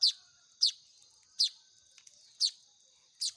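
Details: Hand-fed Baya weaver chicks begging: sharp, high, downward-swept chirps repeated about every 0.7 to 0.9 seconds, over a steady high-pitched tonal whine in the background.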